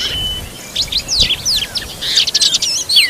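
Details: Oriental magpie-robin tending its young: a brief flurry of sharp, high chirps and slurred squeaks that thickens toward the end, with a clear falling whistle at the close.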